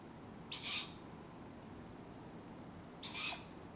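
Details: Tawny owl owlets beg for food at dawn in the Padarn Park woodlands, Wales, in July: two harsh, wheezy hissing calls about two and a half seconds apart, each about half a second long, against a quiet background.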